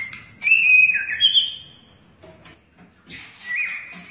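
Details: Long-tailed white-rumped shama flicking its tail while singing: clear whistled notes sliding down and up, a long rich phrase followed by a pause and another gliding whistle.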